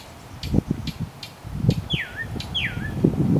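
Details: Northern mockingbird at Arlington National Cemetery, Virginia, USA, 30 May 2015: a few short clicks, then two loud whistles that sweep steeply downward and end in a slight upturn, over low background noise.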